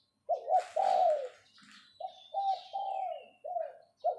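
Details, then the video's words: Captive spotted dove acting as a decoy, giving its 'phao phao' call. A stuttered double coo leads into a long, warm falling coo, followed by a second phrase of several low coos. Faint high whistles of other birds are in the background. "เสียงนกต่อ ขันเรียกเพาะๆ"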